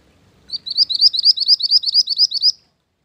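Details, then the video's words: Mantenan gunung bird, recorded as a master and lure song for training: an evenly paced trill of about fourteen sharp, high, upslurred notes lasting two seconds, with near silence around it. "Mantenan Gunung Pikat Gacor"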